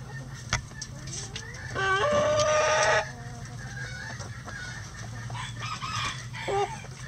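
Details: Chickens at feeding time in their coop give a loud, harmonic, slightly rising call of about a second, followed by scattered softer clucks and short notes over a low background hum.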